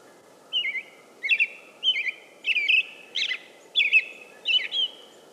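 American robin singing short, clear caroling phrases, about eight in five seconds, each a slurred whistle with a thin, hissy high note, over a steady low rumble.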